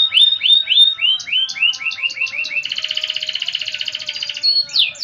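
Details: Canary singing a lively gacor song in a 'cengkok mewah' style: repeated downslurred whistled notes, then a fast buzzy trill, then sweeping notes, with a clean background.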